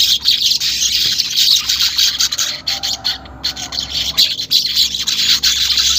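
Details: Weaver singing, unedited, a lure to make caged birds sing quickly: steady high sizzling chatter, briefly fading mid-clip before resuming.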